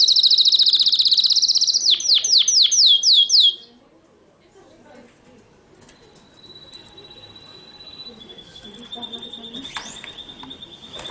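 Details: Canary song recorded in Morocco in 2012: a loud, fast trill of high descending notes lasts about three and a half seconds. Afterwards only faint thin whistles and low background noise remain.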